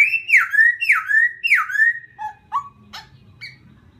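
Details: A laughingthrush singing to provoke a rival bird: three loud whistles, each dropping then levelling, followed by softer short notes and clicks, with a faint hum below.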